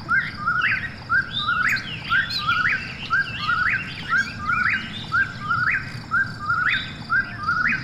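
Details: ['Eastern whip-poor-will at night in steady, regular song: eight or so whistled three-note phrases, each climbing at the end, over a soft background of insects.']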